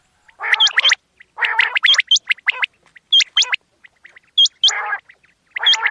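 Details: Quail night call, used for hunting, giving harsh, gargling chatter bursts topped by sharp, high hooked notes, in quick groups about once a second, with brief silent gaps between.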